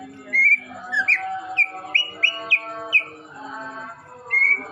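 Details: Chatty Greater green leafbird singing short bright whistles, a quick run of six or seven upslurred notes spaced about half a second apart, then a pause and one longer flat whistle, with a steady low hum underneath.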